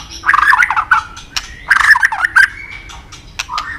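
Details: White-rumped shama training song: bursts of harsh, gurgling chattering notes with sharp clicks and a thin level whistle between them.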